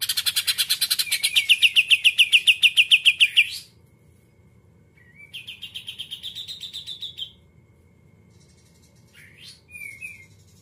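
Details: Greater green leafbird singing in the 'muntah isan kapas tembak putar' style: a fast, buzzy burst of about twenty sharp repeated notes over three seconds, then a shorter rising rattled series and a few brief whistles, with quiet gaps.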